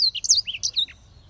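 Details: Black-throated canary giving a brief phrase of bright, high twittering notes with quick downslurred and upslurred whistles, ending after about one second; soft low background hum.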